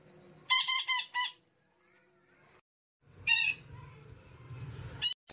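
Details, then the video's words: Red-breasted parakeet lure call for trapping birds: two bursts of harsh, raspy squawks with strong harmonics, then a brief low rumbling noise and a final short squawk. "SUARA PIKAT BURUNG BETET KELAPA"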